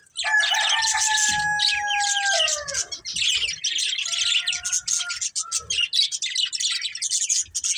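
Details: Budgies chattering in high, rapid, scratchy warbles, overlaid at the start by a long steady whistled tone that slides downward, with a shorter whistle later.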